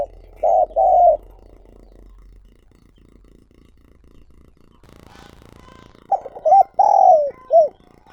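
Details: Two mellow coos from a decoy spotted dove, a pause of near silence, then a phrase of short coos and a long drawn-out falling coo, recorded directly.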